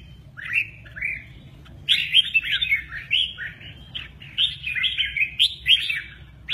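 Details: Red-whiskered bulbul performing the 'mơ ché nẹt' song with active wing play; an extended chain of chirpy, slurred whistles, slow at first and then densely packed from about two seconds onward.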